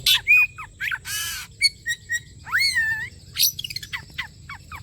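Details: Oriental magpie-robin song meant to draw singing from other magpie-robins: sharp chirps, a loud broad harsh rasp, short whistles, a long wavering slurred whistle, then a rapid series of quick falling chirps.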